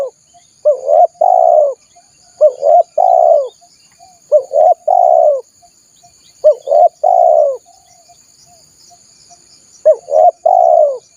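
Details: Spotted dove lure for wild doves, cooing in a steady series: four phrases, each a short pair of rising notes followed by a long, slightly falling hoarse coo, spaced about every two to three seconds over a faint high whine.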